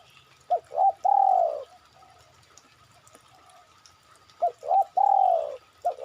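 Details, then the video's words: Spotted dove call played as a lure to draw other birds into calling: two phrases, each of two or three short low coos followed by a long drawn-out, slightly falling croon, separated by a pause of about three seconds, with a faint steady hum behind. "pancingan suara burung derkuku"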